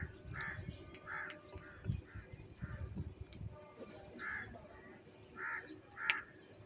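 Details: Crows squabbling over food while eating cheese give hoarse caws, single or paired, spaced at irregular intervals over steady low rumbling background noise.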